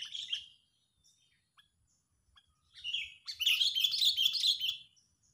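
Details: Sooty-headed bulbul in an angry, excited state, played as a trapping lure: scattered short chirps, then a loud, dense, buzzy chatter of rapid notes lasting about two seconds.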